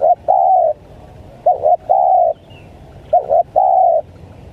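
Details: Spotted dove 'menekan' lure call aimed at wild doves: a long coo, then two repeated phrases of two short bouncing notes and a sustained level coo, steadily paced.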